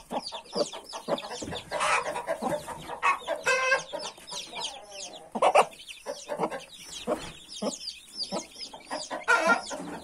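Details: Thirty-one newly hatched chicks with their mother hen: constant high, sweeping peeps from many chicks over repeated low clucks, with occasional short rasping bursts.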